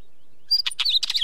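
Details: After a silent start, a wheatear bursts into a fast jumble of scratchy crackles and bright, sliding whistled notes.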